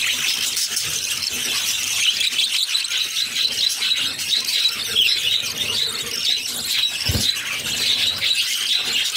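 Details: Six budgerigar chicks begging as their mother feeds them: continuous shrill, grating squeals and chirps, with a brief low thump near the seven-second mark.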